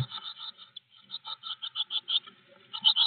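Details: Blue tit at a garden nest box on 25 May gives rapid, raspy, high-pitched notes several times a second in a steady chattering run, with faint scratching in the background.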